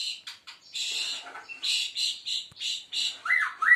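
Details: Seven-month-old White-rumped Shama of the Aceh type, performing a bowing display, gives harsh, buzzy broadband notes repeated about three per second, ending in a few looping whistled notes.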